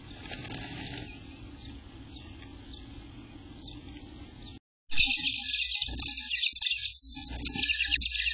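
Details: Eastern Bluebird nestlings on day 18, 24 June 2021, recorded between 6 am and 1 pm, break into a loud, continuous chorus of high, raspy begging chirps after several seconds of quiet hiss.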